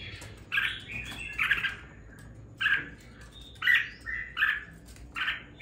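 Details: Red-whiskered bulbul raised in captivity for two weeks, singing with a bit of fire: separate bright warbled phrases of two or three notes, spaced by pauses of about a second, over a low hum.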